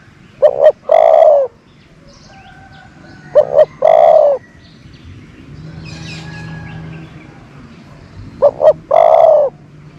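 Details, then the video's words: Low, mellow cooing from a decoy dove that lures wild doves. Two clipped notes precede a long coo, and the phrase returns after about three seconds and again near the end, over a faint hum and distant chirps. "นกต่อ เสียงนกต่อ"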